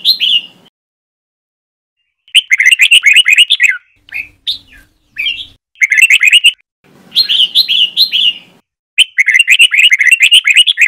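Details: Trà My style song of a red-whiskered bulbul, used for song training: repeated bursts of quick, bright, warbling chirps separated by brief pauses, with a few softer single notes between phrases.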